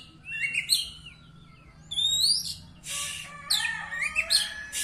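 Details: Contest Oriental magpie-robin, a third-place winner, in full song: separate high whistled phrases, rising and falling slurs and a few harsh buzzy bursts, spaced by short gaps over steady low background rumble.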